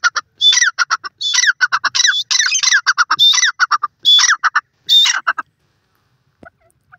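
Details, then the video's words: Grey francolin, described as a male and female duet, partridge love calls: loud repeated harsh squawking phrases with bright rising notes, bursts about once per second for five seconds, then silence. "grey francoline bird ke boli,partridge male female ki sound"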